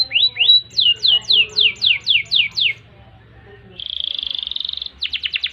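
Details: Canary singing energetically with long ngerek and ngerol rolling phrases and nembak bursts: a run of quick downward-sweeping whistles about five per second, then a buzzy flat trill, then a rapid burst of short clipped notes.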